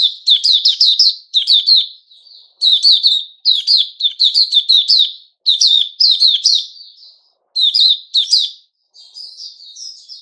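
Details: Singing male puteh raja bulbul in captivity on 10 July 2021: about eight lively warbled bursts of clear, slurred, chattering whistles, fairly evenly spaced over ten seconds, ending with a softer trailing phrase.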